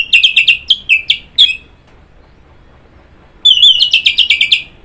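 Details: Orange-headed thrush (anis merah) repeats quick bright whistled notes in a rapid series, pauses, then bursts into a high, fast chattering phrase.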